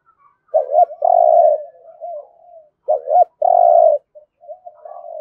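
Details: Two thúc gù phrases from a spotted dove in rolling thổ rền voice: a looping short note then a long vibrating coo, each trailing into soft wavering murmurs.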